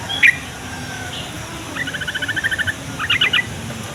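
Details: A yellow-vented bulbul sings to coax other bulbuls to answer. A single sharp note opens, then a steady run of about ten quick even notes, followed by a brisk three-note flourish.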